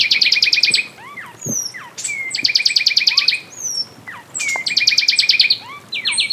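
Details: Fulvous wren vocals, a fluid series of whistles and trills: three bursts of dense two-tone trilling, overlapped by many quick slurred whistles sweeping up and down between the bursts.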